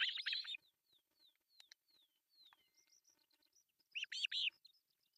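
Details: At a Finnish osprey nest in Pohjois Satakunta, breakfast is brought to three chicks on July 1, 2024. Harsh, loud bursts open and close the stretch. Between them sit thin whistled notes that slide downward, repeated about twice a second.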